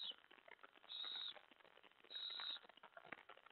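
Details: Owls at a feeding with a mouse delivery, 2:07 AM, 25 July 2017: drawn-out rasping hisses come in two or three bursts spaced about a second apart, over a constant low rustle and clicking.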